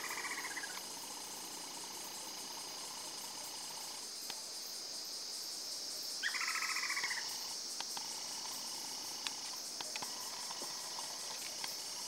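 Lineated woodpecker giving two short bursts of rapid, ringing notes, a few seconds apart, over a constant high insect drone with scattered sharp clicks.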